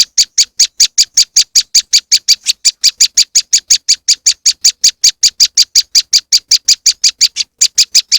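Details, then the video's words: A lure recording of the moss wren. Bright, high, clipped notes repeat evenly at nearly three per second throughout, with no pauses and a clean background. "powerful moss wren bird lure sound"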